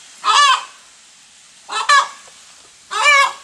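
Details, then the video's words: Three long, harsh, buzzy squawks from a hen that has just laid an egg, each about half a second, spaced over a second apart. "Hen makes noise after laying egg"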